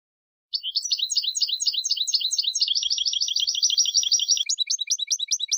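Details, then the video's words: Goldfinch contest-training song: a continuous, fast tinkling stream of high chirps and twitters, overlapping notes forming a dense rolling warble, ending in repeated sharp chip notes. "Canto del Jilguero 5 horas para educación de concurso"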